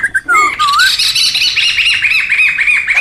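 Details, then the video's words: Laughingthrushes in the wild: a brief sliding whistle gives way to a steady, dense wash of high, harsh chattering notes from a noisy group. "SUARA PIKAT DAN MASTERAN SEMUA BURUNG POKSAY RIBUT ALAM LIAR"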